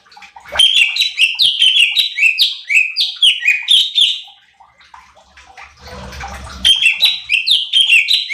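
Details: Light-vented bulbul (cucak cungkok), a training song recording meant to stir up competition birds: fast, repeated down-slurred chirps in a long excited run, a rushing low noise, then the chirping sequence resumes.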